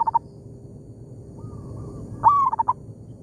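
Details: Wild local zebra dove in an oil palm plantation, calling back and forth with a decoy bird: short stuttering bursts of mellow cooing notes, a quick run of four or five beats, over a steady low background rumble.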